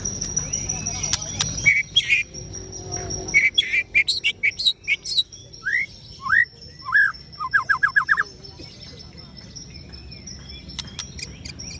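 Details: White-rumped shama called 'Ciung Wanara' singing a varied chattering song: clear whistled notes, sharp downslurred phrases and quick rattling trills, over a steady thin high tone and low background rumble.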